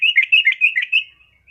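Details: A rapid, warbling chatter from a female yellow-vented bulbul calling a male, notes running together in a bubbling, wavering string for about a second before fading.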